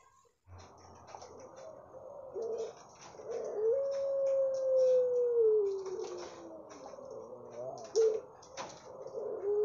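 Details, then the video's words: Puter pelung dove giving a long, smooth, slowly falling tone among busy background noise, clicks and knocks, with shorter rough notes before and after. "9 Puter Pelung, suara dan karakter berbeda"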